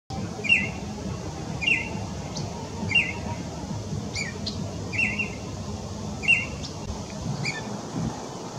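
A Baltimore oriole gives short, clear whistled notes, roughly one every second or so, over a steady low rumble.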